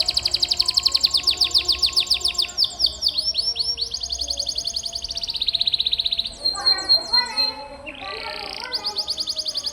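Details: Canary singing 'gacor' masteran song to tutor pet canaries: fast rattling trills shifting in pitch, a run of swept chirps, a rolling lower warble, then the rapid trill resuming.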